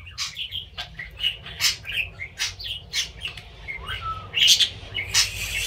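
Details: Budgerigar kept as a pet, talking and professing love; continuous busy chatter of chirps, clicks and buzzy squeaks, one clear falling whistle, steady low hum throughout.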